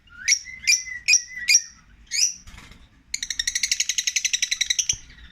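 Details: Tame African lovebird siblings in an aviary cage: four sharp, piercing chirps about half a second apart, a fifth after a pause, then a fast buzzy rattling trill of some twenty pulses lasting nearly two seconds.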